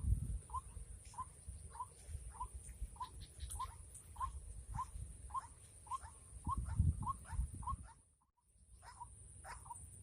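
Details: Rainy-season trapping of a white-breasted waterhen: a long, regular run of short croaky notes, each about half a second apart, with rustling and handling noise and a brief drop-out near the end.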